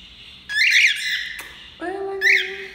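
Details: Tame male cockatiel being petted indoors, giving a harsh, scratchy squawk that lasts about half a second, then a second shorter squawk after a lower, steady tonal sound in a small room.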